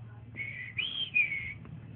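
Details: Young male green leafbird (cucak ijo), a caged bird beginning to sing, gives three smooth high whistled phrases, the middle one higher, over a low room hum.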